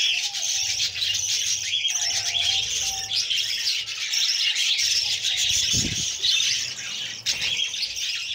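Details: Budgerigar chicks beg as the female feeds them, with a steady, noisy, grating chatter throughout. A short dull thump is heard near the end.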